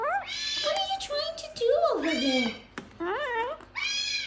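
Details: Gang-gang cockatoo talking: a string of speech-like harmonic phrases, some gliding up then sharply down, others flat and nasal, with short breaks between bursts.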